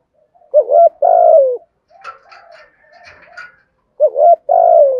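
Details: Spotted dove giving a Thổ-style calling coo meant to stir wild doves: two phrases, each a brief hooted double note then a drawn-out, mellow coo that sinks at the end, with faint scratchy chirps between them.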